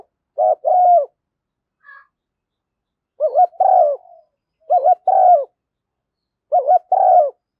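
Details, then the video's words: Female spotted dove decoy recording meant to excite caged decoy birds into calling (thúc gù, gáy gọi styles): four soft two-note coo phrases, a quavering note followed by a drawn-out burry coo, spaced a couple of seconds apart. "Tiếng chim cu gáy mồi giọng lôi cuốn hấp dẫn đủ bài[ THÚC GÙ , GÁY GỌI ]"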